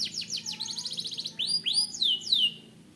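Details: Canary song: rapid runs of high descending notes, then a fast buzzy rattle, then several loud whistled notes that rise and fall steeply, all clear and close with no other sounds.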